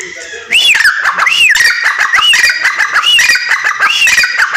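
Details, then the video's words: Female grey francolin calling: loud, harsh arched notes rising then falling around a squeaky peak, repeated roughly every half second after a quiet start, with clicking and ticking sounds between them. "Teetar ki awaz \ teetar voice \ teetar ki sound \ female teetar awaz"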